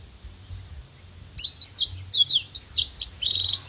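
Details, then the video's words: Black-throated canary contest-training master song. The bird starts midway with looping, high, rising and falling whistled notes, about two per second, ending in a short buzzy trill. "MASTERAN BLACKTHROAT GACOR NEMBAK PANJANG DAN TAJAM VOKAL JERNIH DAN KRISTAL ISIAN BURUNG LOMBA"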